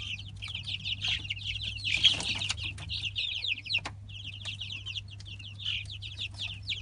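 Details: A chorus of many three-week-old Light Brahma chicks: rapid, overlapping high-pitched peeps in bursts, a brief pause near the fourth second, then steady cheeping again over a constant low hum and a few sharp knocks.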